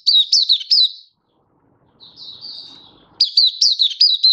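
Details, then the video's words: Oriental white-eye, kept as a hobby songbird, recorded 24 February 2023: three loud, sharp, falling chirps, a pause, a quiet high warble, then another quick burst of bright chirping notes. "Mata Puteh Happy Buka Sing"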